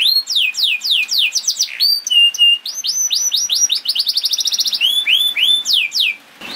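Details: Canary song played to get canaries singing quickly: sweeping down-slurred whistles, a brief level whistled note, then rising chirps accelerating into a rapid trill and slower upswept notes.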